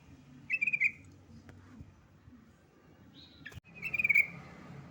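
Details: Yellow-vented bulbul calling a rival, giving two loud, rapid, bubbly pulsed bursts about three seconds apart, with a brief higher whistled note just before the second burst and low background rumble throughout.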